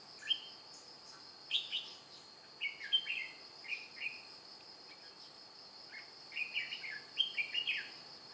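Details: Red-whiskered bulbul kept as a decoy at a trap to lure wild birds, recorded 2 July 2018. Short, bright, warbled chirping phrases come in bursts of two or three notes with pauses between, over a steady high-pitched insect drone.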